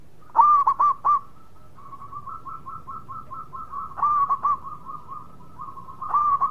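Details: Local zebra dove in full song: loud clusters of rapid rolling coos open and close the passage, with a softer run of evenly spaced purring notes carried between them.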